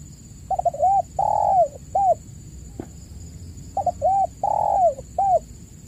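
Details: Spotted dove lure call recording meant to prompt caged singing doves that have stopped calling: two mellow coo phrases, each a quick stutter of notes, a long falling coo and a short closing coo, over a steady high whine.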